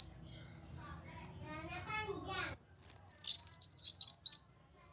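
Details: Grey-cheeked bulbul lure, meant to stir silent caged birds into answering song. Buzzy chattering notes come first, then a pause, then a quick high warbled phrase of about six pulsing notes.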